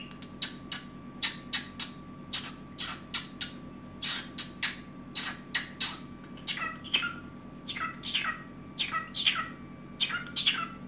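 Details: An indoor cockatiel's evening song, a long series of sharp, clicky chirps and descending whistled notes in irregular clusters, accompanied by a constant background hum.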